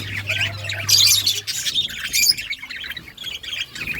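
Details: Budgies chirping with loud squawky chatter and rapid warbled notes, busiest near the start and middle, a low hum fading out after the first moments.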